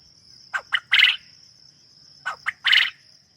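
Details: Farm quail calling: a three-part phrase of two short quick notes then a louder, fuller buzzy note, given twice about one and a half seconds apart, over a steady high insect-like tone.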